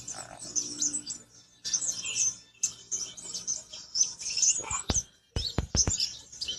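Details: Original voice of a black-winged flycatcher-shrike: high, thin chirping phrases in short bursts with brief pauses, a few sharp clicks near the end.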